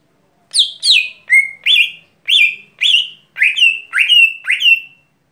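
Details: Lesser green leafbird singing its everyday song: a steady run of about eleven rich whistled notes, each swooping from high down then rising, delivered evenly over a few seconds with no other sounds.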